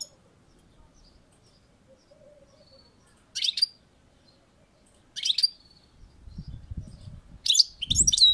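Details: European goldfinch on a balcony giving three short, sharp twittered bursts spaced a couple of seconds apart, with faint low background rumble in between.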